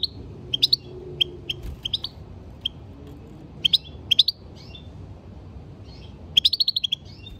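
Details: European goldfinch song used as a stimulating call: bright, tinkling twittered chirps in scattered clusters of two to five notes, ending in a rapid run of about seven metallic notes, over faint low background noise.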